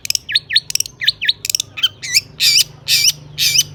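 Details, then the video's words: Singing long-tailed shrike, a lure recording full of imitated phrases to prompt other shrikes: squeaky, rising-and-falling chirps in quick pairs, giving way to loud, grating rasps about twice a second. "burung cendet gacor ISIAN AMPUH untuk PANCINGAN CENDET AGAR BUNYI bikin BURUNG PENTET GACOR SEKETIKA"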